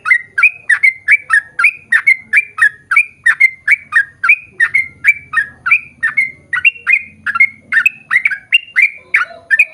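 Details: Sooty-headed bulbul pouring out a long 'ropel' song, used to lure birds of its kind to sing along: dense, evenly repeated chirping whistles, with a faint low rumble partway through.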